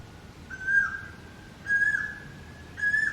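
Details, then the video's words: Asian koel with an unusual song, different from other koels: three loud, sustained, flat whistled notes with overtones, each ending in a slight wavering drop, repeated roughly every one and a quarter seconds over a quiet background. "Unique sound of Koel singing, Koyal ki Awaaz, Cuckoo Bird voice"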